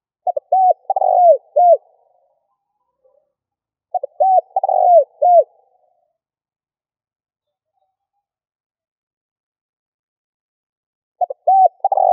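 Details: Spotted dove calling, used to stir up a decoy bird for luring. Three cooing phrases about four to seven seconds apart, each with short clipped notes and then a longer rolling coo with drooping ends, over complete silence.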